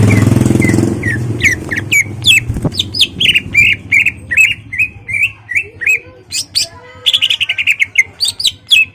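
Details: A caged greater green leafbird sings to rouse a rival to fight: after an opening burst of low noise, a long lively sequence of whistled slurs and buzzy notes, ending with a fast rattling trill and sharp high notes.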